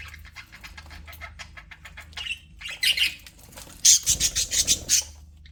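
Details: Pet budgerigars in an aviary: soft rapid ticking chatter at first, then louder harsh chirps and a run of evenly spaced buzzy squawks toward the end.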